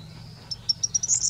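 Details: Corn bunting (Emberiza calandra) singing at Grimshög: a few dry, high ticks speeding up into a brief jangling rattle like shaken keys, over a faint steady background hum.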